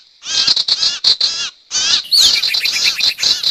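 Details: Sirtu calls used to lure wild birds: bursts of ringing chirps in clusters, a short silence, then a sharp, descending squeal followed by quick repeated chirps.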